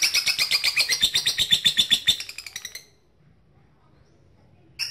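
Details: Lovebird calling a rival, a lure to prompt long ngekek: a rapid chattering trill of shrill chips for nearly three seconds, ending abruptly into quiet, with a brief sharp sound at the very end.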